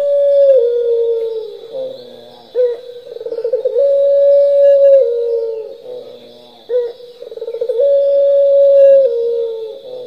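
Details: Turtle dove singing nonstop in the 'pelung' style, used to trigger other doves: repeated deep coos about every four seconds. Each one is a rippling burst easing into a long, slightly falling held note, with a faint continuous high-pitched hum behind.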